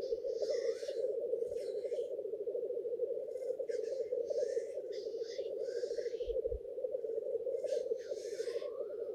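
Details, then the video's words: Lekking black grouse, males courting females in a shared arena: low rolling bubbling carries on without pause while repeated harsh, wheezy hisses and sneezes burst over it. "Black grouse lekking behaviour"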